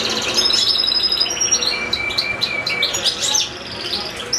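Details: Caged goldfinch song among two goldfinches and two small goldfinch-canary hybrids: fast tinkling twitters and short buzzy bursts at a rapid pace, a thin steady whistle running underneath, then slightly quieter near the end.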